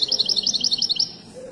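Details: Moroccan widani goldfinch at Casablanca's Souk Lqriaa bird market: about a second of rapid, evenly paced, bright tinkling notes, then a faint hum of the crowd.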